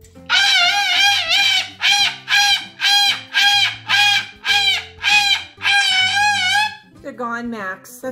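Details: A pet Moluccan cockatoo (Cacatua moluccensis) indoors gives about eight loud, harsh, ringing squawks in quick succession, then a lower, wavering call, while its owner asks it to calm down for being too noisy.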